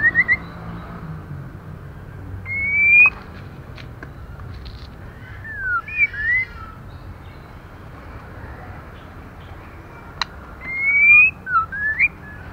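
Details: Female white-rumped shama, vocalising to excite males and young birds, gives three phrases about four seconds apart, each a bright rising whistle followed by short twisting swoops, with a sharp click between phrases and a faint low rumble behind.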